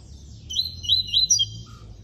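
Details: Captive coleiro preto (double-collared seedeater) kept by an amateur breeder, singing the classic song style: a quick run of clear, high whistled notes that slur up and down, with low room hum underneath.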